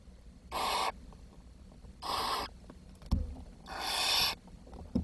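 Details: Barn owl chicks in the nest after the youngest died from lack of food, leaving four young, June 2023. Three harsh, rasping hisses, the last the longest, with a sharp knock before it.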